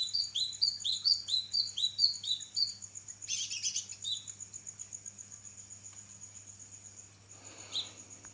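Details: Kinoi singing energetically for a songbird training recording: a burst of rapid rising whistled notes in the first three seconds, a harsh scratchy note, then the song stops, leaving steady hiss, low hum and a brief rustle.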